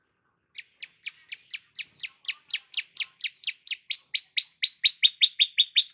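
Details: Cendet or long-tailed shrike, gacor: a long, fast series of sharp, high chipping notes, about two per second, dropping slightly in pitch toward the end.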